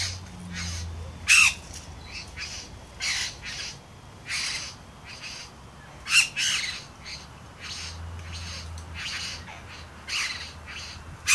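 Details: Male satin bowerbird in the Southern Highlands serenading a female with dance and imitations of other birds: loud harsh broadband bursts and buzzy rasping notes at irregular intervals, with quieter scratchy chatter between them and a faint low hum.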